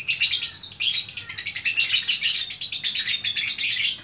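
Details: Lone lovebird in Bukittinggi, West Sumatra, in full vigorous song: a nearly unbroken stream of shrill, scratchy twittering notes, fast and tightly packed, with faint low background hum.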